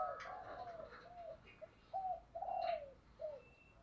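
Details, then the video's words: Spotted dove used as a decoy for training, its coos softer and set against steady background hiss with a few brief higher clicks and rustles; long and short arched notes repeat through the clip. "cu mồi gáy/ Tiếng Cu đất kêu 2022"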